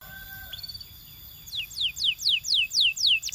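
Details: Belgian canary song for training canaries, opening with faint steady tones, then a run of clear descending whistled slurs repeated about four times a second.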